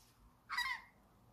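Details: Australian magpie giving a single short, harsh, rasping squawk lasting about a third of a second, broad and noisy with a slight downward slur, against a quiet background.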